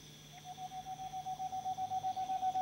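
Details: Tengmalm's (boreal) owl song: a quick run of soft, hollow, even-pitched hoots, about six a second, growing steadily louder, over a faint steady hum.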